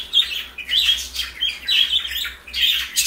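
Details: Chirpy, slightly squawky calls from parakeets feeding on lettuce, coming in quick repeated bursts with little pause between them.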